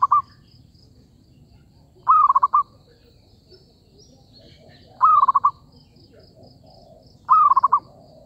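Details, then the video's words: Zebra dove calling as a trapping lure, four quick stuttering coo phrases spaced two to three seconds apart, each a fast run of clear notes, with soft background hum. "B.ẩy cu vằn"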